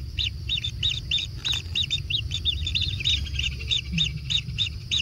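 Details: Natural kingfisher nest with chicks being fed, giving clear high chirps, some doubled, repeated at a steady pace against a soft low background hum.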